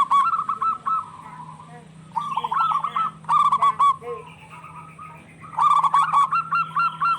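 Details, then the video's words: [1, 'yes', 'song', 'Local zebra doves calling back and forth in lively song, used as a lure for stressed or quiet doves: bursts of quick stuttering coos and trilled notes, with pauses between phrases and a steady low hum beneath.'] "Suara perkutut lokal gacor bersautan"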